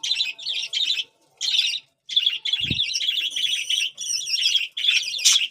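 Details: Budgerigar chicks at feeding time giving harsh, raspy chattering begging calls in bursts with short gaps, growing more continuous toward the end, with one dull thump in the middle.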